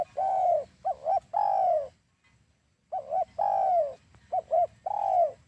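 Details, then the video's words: Spotted dove lure call for dove trapping: mellow falling coos paired with quick double notes, repeated after a short gap of near silence, in a clean, quiet setting. "SUARA PIKAT DERKUKU /TEKUKUR"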